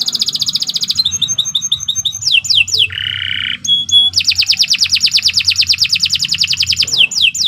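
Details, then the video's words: Canary in extended 'gacor panjang' singing meant for tutoring birds: rapid rattling high trills, a brief lower steady tone, then a long fast trill broken by downward-sliding whistles. "Suara Burung Kenari II GACOR PANJANG Cocok untuk Masteran"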